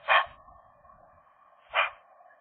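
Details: Magpie courtship inside the nest in January: a pair trades two loud, grating calls about one and a half seconds apart, with faint low rustling and a continuous hum between them.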